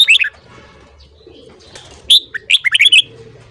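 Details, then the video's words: Brief morning song from a red-whiskered bulbul: a falling trio of notes, then after a gap a loud whistle and a rapid bubbling string of slurred notes. "Luyện giọng chào mào hót sáng .kích giọng chào mào hót hay"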